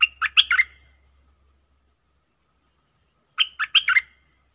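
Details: Red-whiskered bulbul song with a clear, pleasant tone: a short burst of four loud, slurred whistled notes, then a long pause, then a matching burst of four notes, over a steady faint high insect hum.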